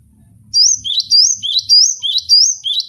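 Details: Gelatik batu (cinereous tit) in captivity: loud ringing two-part whistles, rising low note and higher sweeping note, repeated five times after a quiet start with soft rumbling.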